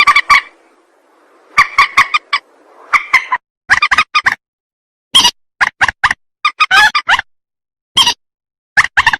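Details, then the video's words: Rail calling, a recording used to lure birds for trapping: rapid, rasping note groups, some in tight triplets, separated by sharp breaks, with light background hiss early on. "Suara pikat burung mandar"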